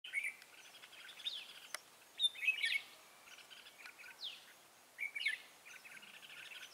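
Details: Red-whiskered bulbul used as a lure bird for trapping, recorded 14 March 2017: bright warbled phrases and quick chirps, with several downward-sweeping notes and bursts of song at intervals.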